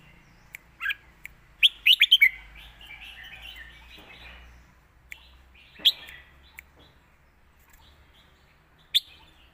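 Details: Red-whiskered bulbul master song: a few scattered sharp notes, then a rapid four-note chirp burst rolling into a warbled phrase, followed by sparse single loud notes amid quiet pauses.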